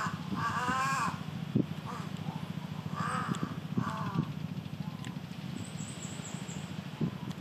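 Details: A large-billed crow on Komodo gives harsh, hoarse caws, one long and then two shorter ones a few seconds apart, over a steady low rumble.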